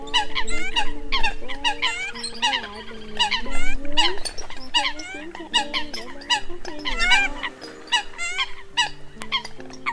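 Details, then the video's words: Eurasian coot lure recording for hunting migrating birds, early-season 2020 version of competing-bird calls: many overlapping nasal, harmonic honks and squeaky rising notes from a flock, in rapid irregular bursts over steady low electronic-sounding tones. "Tiếng Sâm Cầm Bản Đầu Vụ 2020"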